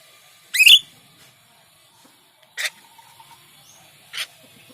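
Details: Rio Rio myna kept to teach other songbirds, its song described as monotonous and repeated: one loud rising whistle with a twisted ending, then two shorter, softer notes about a second and a half apart.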